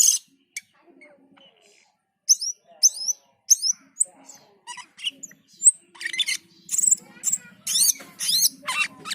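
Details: Cucak keling, the black-and-white bulbul, singing loudly: scattered sharp whistled chips at first, then a dense run of high squeaky, slurred and rattling notes, with a faint low buzzing hum underneath.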